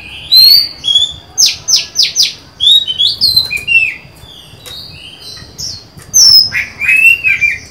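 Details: A newly acquired female Oriental magpie-robin, recorded 23 July 2020, sings to lure and stir up males: clear, varied whistled phrases with sharp downslurred notes and bright trills, in bursts every second or so.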